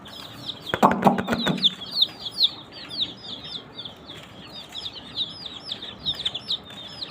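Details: Desi chicken chicks chirping together: a steady stream of high, overlapping peeps, with a brief burst of clattering knocks near the start, then the chicks' cheeping continuing unbroken.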